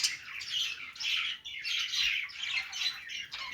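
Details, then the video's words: Playing budgies give happy chatter, loud harsh squawky warbles in bursts roughly every half second, some notes sliding downward, with only brief pauses. "parakeet chirping sounds | budgies playing sounds"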